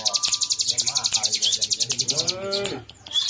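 Bar-winged prinia song: a fast, high run of sharp repeated chips, about eight a second, for over two seconds. A brief human voice follows.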